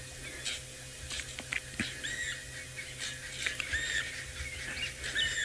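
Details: Several drongos in wild Africa, near a hyena den, shout in harsh, scratchy bursts with sharp metallic whistles mixed in, mobbing a Wahlberg's Eagle perched in the open nearby. Faint background rumble underneath.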